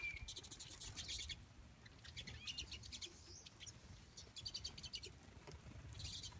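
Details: Pine siskins feeding on a balcony, unbothered by a nearby person, recorded on a phone; thin high chirps and short twittering notes come in bursts with flapping wings and faint background rumble.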